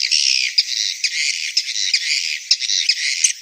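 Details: Swiftlet mating call: high, raspy squawking chatter held almost without pause, broken by sharp clicking chirps every half second or so.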